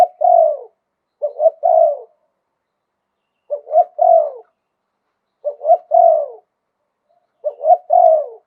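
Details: Spotted dove song in the 'liu tan' style, delivered 'khan yon' in a wild voice. Five phrases, each of two or three quick soft hoots and a long falling croo, come at irregular gaps of one to two seconds.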